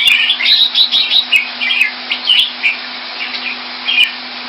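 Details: Singapore cage-kept red-whiskered bulbul coming into form: a dense string of sweet chirping notes early on, then more spaced, sharper whistled phrases, with a continuous low mechanical hum and occasional clicks.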